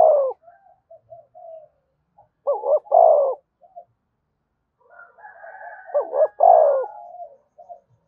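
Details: Spotted dove cooing to set other doves cooing: deep coo phrases at the start, near three seconds and again near six and a half seconds, with soft short notes between.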